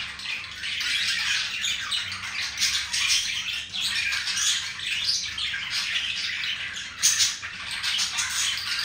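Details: Two budgies being affectionate with each other; nonstop high-pitched chirping warble, scratchy and tumbling, with a louder sharp note around seven seconds.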